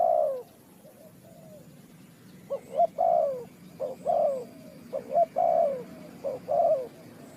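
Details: Spotted dove, bird trapping in Ninh Thuận, giving a run of mellow coos: one long coo, a pause, then repeated phrases of short clipped hoots joined to drawn-out descending coos.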